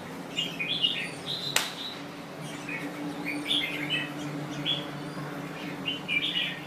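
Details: Red-whiskered bulbul, Thai type, delivering a lively run of short whistled and chirped phrases throughout, one sharp click near the start, steady low humming beneath.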